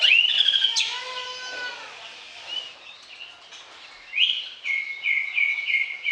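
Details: Bar-winged prinia singing as a lure for birds that will not sing: an opening burst of shrill notes and falling whistles, a quieter gap, then loud bright phrases repeated in quick succession.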